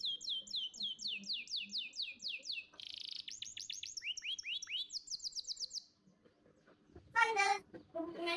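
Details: Champion canary song used to stimulate young canaries: clear repeated downslurred whistles, a buzzy burst, sweeping note series and a high trill, then a pause and a loud harsh chatter.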